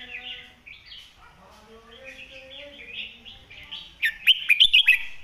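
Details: Master-style Red-whiskered bulbul song meant for tutoring birds: gentle wavering whistles over lower steady tones, ending in a loud string of five or six crisp, rising chirped notes.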